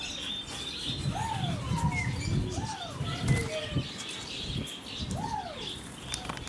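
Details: A Superb starling in an aviary in Heemskerk, Netherlands, gives slurred, arching whistles every second or two, with a few thin higher chirps, over a steady low rumble and wing flutters.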